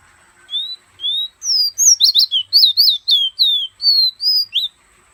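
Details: Pet fire red from Guyana perched in a hand, whistling: two slow clear rising whistles, then a quick run of about a dozen bright slurred notes with sharp high overtones. The room is otherwise quiet.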